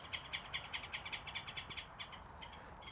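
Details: A Green Jay at an Audubon bird-feeding site in the South Texas brushland, said to be hungry, gives a rapid series of about fourteen harsh, rasping notes, roughly five per second, over a faint low rumble.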